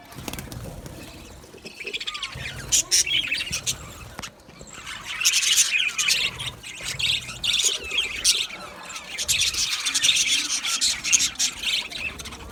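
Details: A group of male budgerigars, recorded on 8 December 2025, chirps busily: fast, high, buzzy twitters repeated in uneven bursts that swell after a brief pause.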